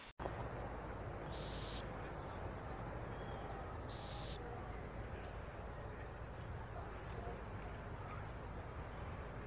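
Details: A baby burrowing owl (Athene cunicularia) in Brazil gives two harsh, hissing rasps about two and a half seconds apart, over steady low rumbling background noise.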